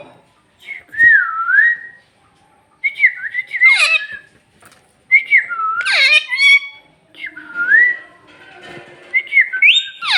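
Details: Parrot talking in Bhojpuri, alternating wavy whistled notes with harsh, rasping bursts that sweep down sharply, in phrases broken by brief pauses.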